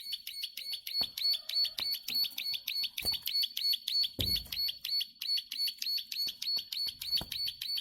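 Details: Plain prinia (ciblek sawah) in full song, a long clicking run: buzzy, ticking notes repeated steadily about three times a second without a break, with faint low knocks in the background.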